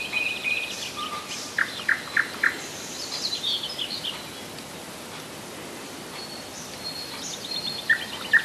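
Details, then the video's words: Nightingale in song near Rassudovo, some forty kilometres outside Moscow, July 2011: a few sharp repeated chips in quick succession, then a quieter stretch and more clipped high notes, with a constant background hiss. "Соловьиная песня / Nightingale song"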